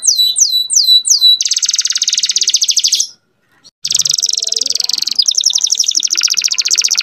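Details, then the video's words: Canary tutor song said to make females breed quickly: several falling whistled notes, a long dense high trill, a short pause, then renewed rapid buzzy trills with varied pulse speed. "MASTERAN KENARI MUDA GACOR ISIAN DAN BIKIN EMOSI - pancing kenari betina agar cepat birahi"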